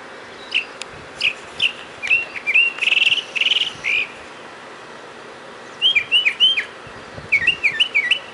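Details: Mockingbird singing outside a home doorway on March 31, 2010: bright, varied whistled and chirping phrases, each note repeated several times in quick bursts, with short pauses between groups and a quiet background.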